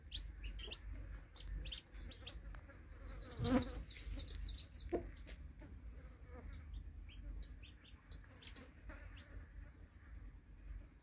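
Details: Baby chicks with their broody hen make sparse high peeps. A brief flurry of rapid twittering comes with a loud thump midway, then the peeps continue scattered over faint low clucks and background hum.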